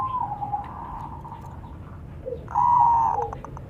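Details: Local zebra doves answering one another, male and female: a faint, drawn-out coo, then a louder, sustained, mellow phrase with short stuttering notes near the end, over steady low rumbling background noise.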